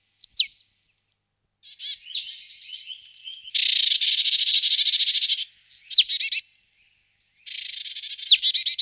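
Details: Marsh tit giving sharp downslurred chip notes mixed with a long buzzy, rapidly pulsed churring phrase and scratchy high notes, in otherwise quiet surroundings.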